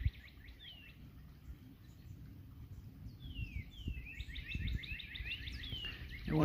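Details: Competing Northern Cardinals on a cool April 19 morning outing, one across the way: several clear whistles slurring steeply downward, spaced a few seconds apart, with other small birds chattering and low outdoor rumble underneath.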